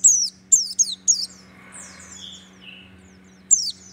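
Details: Caged white-eye of the Merapi type singing: sharp, very high descending chirps in short bursts, then a pause with softer fading whistles, and another burst at the end, over a steady low hum.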